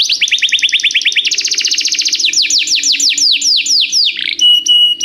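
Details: Tutor song of a canary for teaching a young bird: a buzzy two-tone rapid trill, then faster rolls, slower sweeping downslurred notes, and a final steady whistled tone with short sharp chips.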